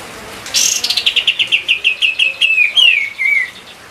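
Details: White-eye song used as a training song for other songbirds: a high burst, then a fast run of about a dozen sharp chirping notes dropping gradually in pitch, ending in a short descending twitter.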